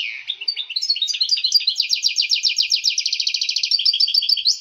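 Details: European goldfinch, excited male singing to stimulate breeding in females: a dense, fast twittering run of bright liquid notes, accelerating into a rapid rattling trill of repeated chips, continuous throughout.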